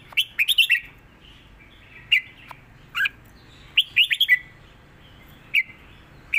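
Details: Red-whiskered bulbul, a caged songbird, gives a southern Thai style song for tutoring birds. Short bursts of bright, liquid whistled notes come in quick clusters of three to four, separated by brief pauses.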